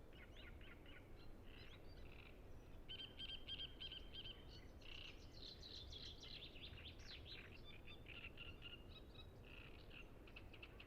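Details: Many great reed warblers singing at Ema-Joe Suursoo Natural Reserve on Lake Peipus, recorded with Zoom F6 and Sennheiser MKH 8040; rapid harsh chatter mixed with a brief run of high, pure repeated notes, over low background rumble.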